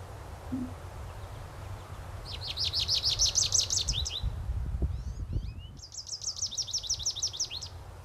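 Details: Male American Goldfinch in mating plumage giving two quick runs of high, sweeping twittered notes, with a few slurred chips between, over a low background rumble.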